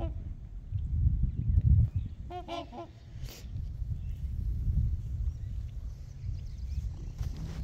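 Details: Trumpeter swans with geese on Horseshoe Lake, recorded from the shore: a brief cluster of three or four trumpeting, nasal honks midway, set against heavy wind rumble and a faint distant bird.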